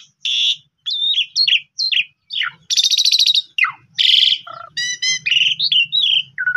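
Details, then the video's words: Asian pied starling song meant to stimulate a quiet bird to sing; a jumble of slurred whistles, descending squeals, harsh buzzy rattles and bubbling notes, with low background hum. "Pancingan Jalak Suren Paling Bagus !! Jalak Suren Pundung 100% Gacor"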